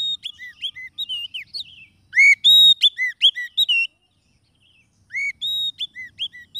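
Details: Oriental magpie-robin song used to lure wild birds for trapping: rich sequence of clear flute-like whistles, bent downslurs and short rapid chips, pausing about a second before another run of pure whistled notes.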